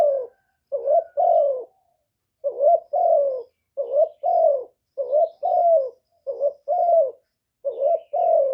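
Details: Lure call of a spotted dove, recorded without background noise and played daily to excite kept doves: low, rounded coos grouped in twos and threes, each burst followed by a brief pause, repeating roughly fifty times a minute.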